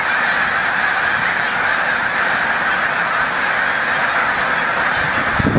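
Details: A loud, close flock of migrating snow geese at Montezuma, New York, on 7 March 2022 keeps up a dense honking roar, with a low rumbling thump near the end.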